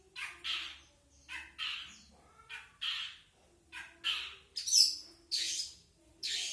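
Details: Standard non-isian song of a long-tailed shrike, made of spaced, grating squawks. Duller notes come first, separated by gaps of about a second, then brighter, shriller rasps close together near the end.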